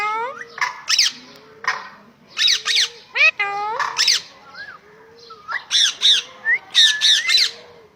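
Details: Farm parrot giving a rapid, busy string of harsh noisy squawks interleaved with curved, rising and falling harmonic notes like mimicked speech, almost continuous for eight seconds.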